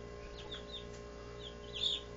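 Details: Barred Plymouth Rock chicks, 17 days old, giving a few thin, high, downward-sliding peeps, scattered and soft, with one louder pair near the end, over a steady low electrical hum.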